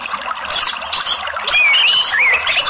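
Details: Therapy lure recording of an orange-headed thrush, meant to push a quiet bird that only chatters (ngeriwik) into full song (ngeplong): short squealing bursts, then a winding, rising-and-falling whistled phrase.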